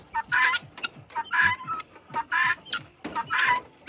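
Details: A female helmeted guineafowl, one of a kept group, gives harsh, grating calls about once a second while being talked to at close range.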